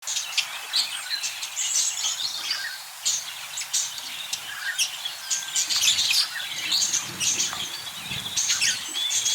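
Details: Budgerigars chattering together, a dense stream of high, rapid chirps, short warbles and squeaky twitters overlapping throughout, with a few louder sharp notes standing out near the end.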